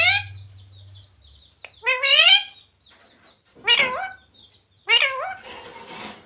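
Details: Talking pet parrot voicing human phrases like radhe radhe or sita ram; three separate harmonic, speech-like syllable groups spaced about a second apart, with a low hum at the start and faint hiss after.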